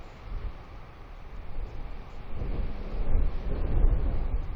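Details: Low wind rumble grows steadily louder, with no animal voice.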